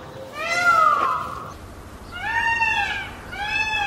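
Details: Indian peafowl (Pavo cristatus) giving three loud, wailing, cat-like calls, each about a second long and arching in pitch, spaced roughly a second apart.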